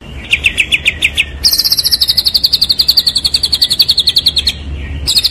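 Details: White-rumped shama, champion 'gacor' material, delivering a rapid even trill of repeated high notes, a short one giving way to a long steady run of about thirty pulses, with a faint low hum behind.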